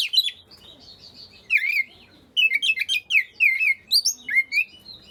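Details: Shama song meant to trigger quiet white-rumped shamas to start singing: a thin high trill at first, then a lively string of rich whistled, swooping notes and chips, repeated rapidly.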